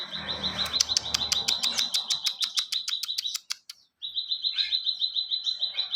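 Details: Ciwah singing vigorously, used as tutor song for training other songbirds: a rapid rattling trill of pulsed notes near one steady pitch, with sharp high clicking ticks over it, a brief pause, then the trill resumes.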